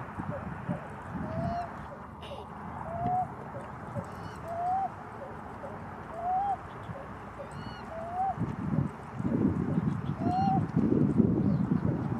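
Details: Pied-billed grebe uttering single short upward-slurred notes, each about one and a half seconds apart, six in all. Steady low rumbling noise and faint high chirps sit in the background.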